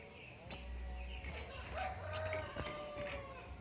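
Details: Sogon (crimson sunbird) with its standard 'tembakan' song, sought by songbird keepers as training material for other birds: four sharp, very high, clipped chips spaced irregularly over a few seconds, over a faint steady background hiss.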